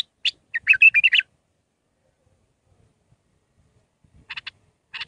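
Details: Mandalawi-style bulbul song of six phrases, used to teach young birds: a lively run of warbled, slurred whistles early on, a long silence, then two short chirpy bursts.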